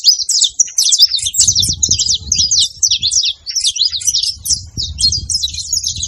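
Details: Saffron finch, known locally as canário-da-terra, on a farm in Brazil, giving a continuous, rapid chattering song of sharp chirps and trills, with soft low rumbling underneath.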